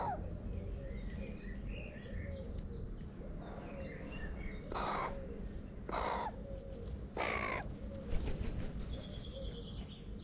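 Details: Crows from a family visiting a feeder give three loud, rasping caws spaced roughly a second apart after several seconds of soft, high twittering from small birds, with steady low outdoor rumble throughout.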